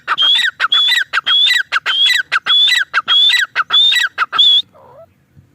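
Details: Male grey francolin calling loudly in a fast run of repeated phrases, each a high whistled note followed by lower falling notes, about eight phrases before the calling stops and a faint short sound ends the recording.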